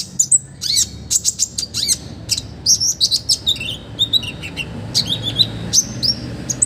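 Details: Olive-backed sunbird singing energetically, a tutor recording with rich filler phrases meant to train other birds: rapid, very high thin chirps and whistled upslurs, with quick trilled runs in a dense stream over a quiet background.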